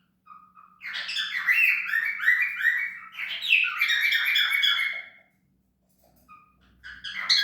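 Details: Cockatiel chattering in a dense, rolling stream of harmonic chirps for about four seconds, then near quiet with a couple of soft short notes before calling resumes at the end.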